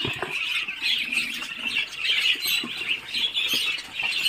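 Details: Continuous, busy peeping of several Muscovy ducklings just hatched by incubator at 28 days, high and shrill, with scattered low knocks underneath.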